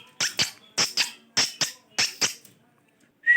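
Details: Pet parrot talking: paired sharp, clipped syllables repeated about every half second in four rounds, then a pause and a single clear whistled note at the end.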